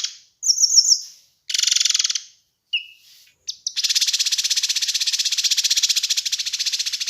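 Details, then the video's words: Kinoi bird on a master recording for training and luring: high twitters and a buzzy burst, a short low whistle, then a long, fast, even rattling trill. "Masteran Dan Pancingan Burung Kinoi"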